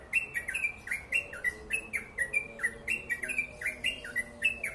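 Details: Yellow-vented bulbul (crucukan) in a long, fast, tightly packed 'ropel' song: quick chirped notes that dip and rise, about three per second, with sharp high clicks above each note and a faint low murmur behind.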